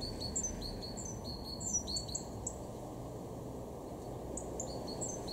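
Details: Great tit, a garden bird in Weener, East Frisia, far northwest Germany, in March 2023: faint, thin high two-note phrases repeated in short runs over steady low rumble and background noise.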